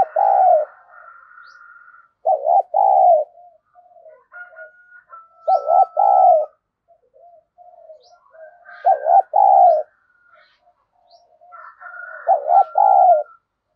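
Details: Spotted dove used as a decoy bird, repeating its provoking coo: five loud paired husky coo phrases roughly every two to three seconds, soft low notes and a faint thin whistle between them.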